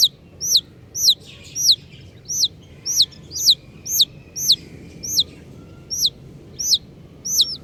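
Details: Colourful chicks call with sharp, high, down-slurred peeps, evenly spaced about twice a second throughout, loud and clear above a soft low background noise.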